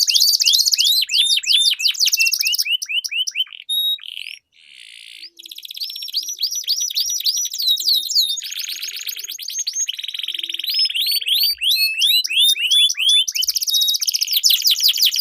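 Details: Canaries duelling in long rolling song, used to train competition birds: a varied medley of rapid down-slurred trills, buzzy rattles and steady whistled tones, with a short pause midway.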